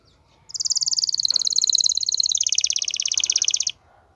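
A canary gives a fast, bright rolling trill for about three seconds, high and steady, then dropping lower near the end. The background is quiet.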